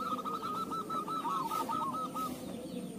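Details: Zebra dove (perkutut) song used as a lure to make other zebra doves sing: a soft run of about a dozen quick, even cooing notes over a steady rustling background.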